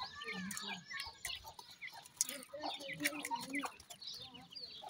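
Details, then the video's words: Captive grey francolin chicks chattering among themselves: many short, high peeps and bent whistled chirps, overlapping in quick irregular bursts against faint low background noise. "pheasant chicks talk,baby partridge are big great,titur k bachay"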